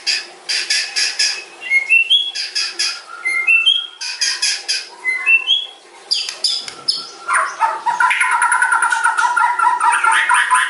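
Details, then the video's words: White-rumped shama alternating harsh chatter with short rising whistled notes, repeated several times, then a long rich warbling trill for the last few seconds. "OCEAN MURAI BATU PASTOL MUNTAH ISIAN PANJANG AUTO CEPAT TERPANCING"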